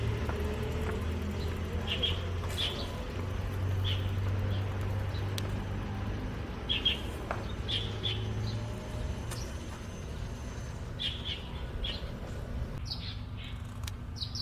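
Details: Russet sparrow recorded in Baihe District, Tainan, on 8 March 2022: short bright chirps given singly and in quick pairs at irregular intervals, over a steady low rumble of traffic.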